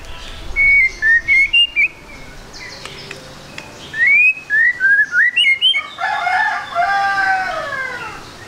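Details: White-rumped shama song played as a lure to get a bird singing fast: series of rising whistled slurs, then rapid chattering notes and a harsh, broad rasping passage at the end.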